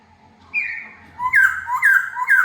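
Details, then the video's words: Laughingthrush let loose indoors for the first time, giving loud clear whistles that rise and fall, a short note followed by three rapid swooping phrases, over faint background hum. "lần đầu thả Chim khướu mồi trong nhà"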